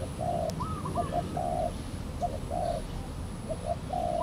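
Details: Wild spotted dove near a decoy bird at a trapping site in Valdor, Seberang Perai, cautiously approaching before flying away; repeated soft coos in short phrases around two per second, with a steady background hiss.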